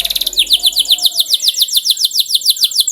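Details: Canary singing on a lure track meant to spur canaries into song: a brief rapid trill gives way to a steady chain of high, descending slurred notes, about six each second.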